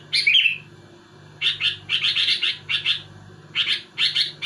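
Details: Sooty-headed bulbul in vigorous song to challenge rivals: an opening warbled note, a pause, then tight bursts of rapid bubbly chirps, with a low mechanical-sounding hum beneath.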